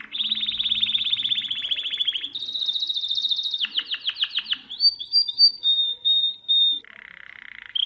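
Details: Domestic canary song used to teach young birds: a long fast trill, a higher rolling tour, sharp descending notes, brief warbled whistles and a steady held tone, ending in a lower buzzy rattle.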